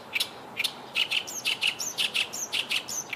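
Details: Oriental reed warbler perched about 8 m away, singing a loud, harsh, chattering song of grating notes delivered two or three per second, with scattered higher thin squeaks over soft background hiss.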